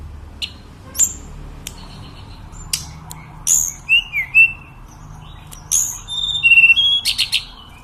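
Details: Sunda robin, known as tledekan, singing steadily; sparse sharp ticks and high notes lead into short falling whistles and a fast run of stuttering high notes.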